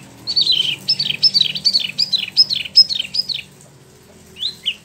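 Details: Caged Spot-throated babbler, or Tieu Mi, kept a year in Bandung, West Java, after import from China or Vietnam, just out of moult. It rolls a quick series of about a dozen falling whistled notes, then adds two soft notes.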